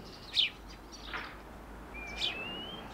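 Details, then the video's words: Male house sparrow giving two loud, sharp chirps about two seconds apart, with a faint whistled note and a long thin rising whistle from another bird in between. "Vrabac pokućar / House sparrow / Passer domesticus (♂)"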